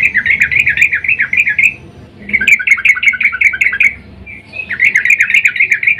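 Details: Female yellow-vented bulbul in breeding mood calls for a male, a recording used as a lure; three runs of fast wavering chatter notes with brief pauses between.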